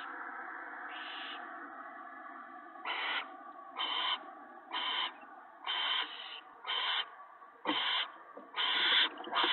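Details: Owl family at the nest on a March 2017 evening, the male delivering mice and a rabbit to his mate and owlets. Rasping hiss-like bursts come in a run of eight, roughly one per second, over a low hum.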